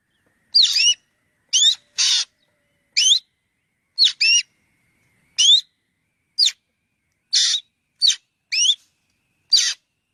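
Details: Black drongo in steady chatter: a dozen high notes over ten seconds, ringing whistles slurring upward interleaved with rough buzzy squawks, no other sounds.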